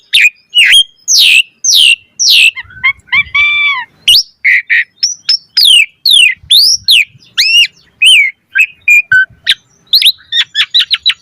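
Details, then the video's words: Energetic Asian pied starling song: harsh squawks, a rapid low rattle, then a fast stream of varied sweeping whistles and sharp chirps with barely a break. "Pancingan Jalak Suren Gacor Mompa Variasi Suara Burung Kicau Cepat NYAUT Gacor Full Isian Mewah"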